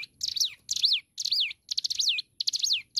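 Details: Hill prinia singing vigorously, recording meant for tutoring songbirds: repeated phrases about twice a second, each a burst of buzzy, rattling notes ending in a loud whistled slur that rises briefly then sweeps down, with short silent gaps.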